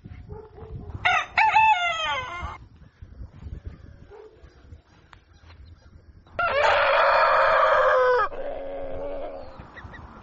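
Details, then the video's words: Rooster crowing at dawn: two loud, harmonically rich crows, the first rising then falling in stepped notes, the second a longer sustained drawn-out phrase, with quieter background noise between them. "Canto Do Galo | Galo Cantando Ao Amanhecer | Som Do Galo | Galo Cantando Para Acordar"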